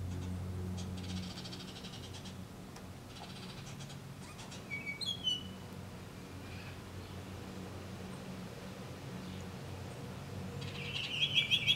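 Baltimore oriole gives a couple of brief, clear whistled notes near the middle, then a quick run of bright notes at the end, over a low steady hum.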